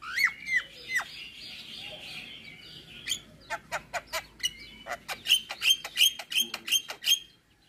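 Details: Jalak kebo (Javan myna) giving a full isian song: two falling whistles over soft buzzy chatter, then a quickening series of dry clicks and short high whistled notes.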